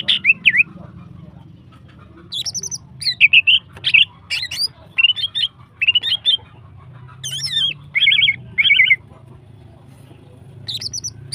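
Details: Female greater green leafbird, kept bird, in energetic, long-firing song meant to stimulate other birds into song: bursts of bright, rapidly modulated whistled and chattering phrases, repeated with short pauses, over a low steady background hum.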